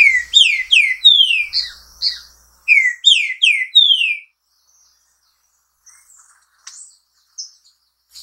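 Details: Green-winged saltator (Saltator similis), song.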